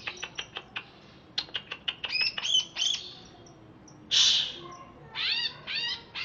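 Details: Caged greater green leafbird from Alas Purwo after its bath: scattered thin ticks, a cluster of quick varied chirps, then a loud rasp and three buzzy notes with wavering overtones.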